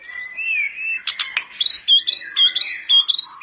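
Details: Lively song of a sooty-headed bulbul (tledekan gunung) used as a lure for other birds: slurred whistles descending, a few sharp clicks, then repeated bright phrases roughly every half second.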